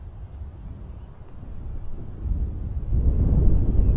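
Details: Low rumbling wind buffeting the microphone grows louder, with no animal voice.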